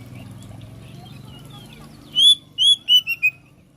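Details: Oriental magpie-robin song of four or five clear, slightly falling whistles, preceded by faint softer notes and low background rumble.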